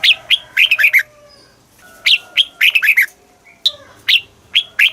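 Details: Red-whiskered bulbul song in the southern master style, played to caged birds to excite them and to teach young birds: bright whistled phrases of four or five quick rising-falling notes, repeated about every one to two seconds, over a faint low hum.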